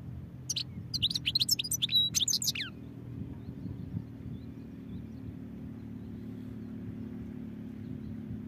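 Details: A European goldfinch sings one dense, roughly two-second run of bright, high twittering notes and liquid slurred chirps, ending in a falling note, then only low steady background hum remains.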